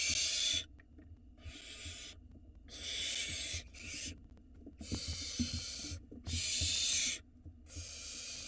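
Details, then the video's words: Barn owl nestlings in a nest box in Israel, live camera, begging as the father delivers food: several overlapping rasping hisses of varying loudness, separated by short gaps, with quiet shuffling sounds. "Barn owl nestling go crazy when Dad brings nestlings for dinner"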